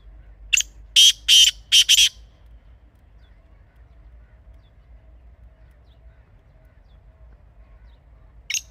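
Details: Wild Pakistani black francolin (kala teetar), recorded in a natural setting for hunting use: one loud phrase of four harsh, grating notes, then a long quiet pause before another rasping note begins.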